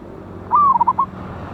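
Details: Zebra dove, local and wild with a loud voice, recorded 11/8/24 to lure birds for trapping: a held coo easing downward, then three short notes and a final short coo.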